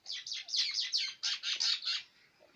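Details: Pakistani batair, quail farmed and kept as pets for its admired kirk sound; about ten harsh, buzzy high notes delivered rapidly in a steady run lasting two seconds, then silence.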